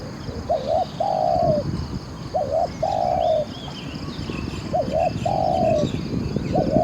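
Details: Decoy spotted dove, praised for its fine voice, sings steady repeated phrases about every two seconds. Each is a double-humped coo followed by a long flat croon, with faint high bird chirps behind.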